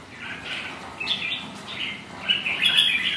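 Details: Rival red-whiskered bulbuls sparring on a windy, rainy day, giving short chirpy whistled phrases: a quiet start, then a sharp burst after one second and a louder, tumbling run of notes near the end.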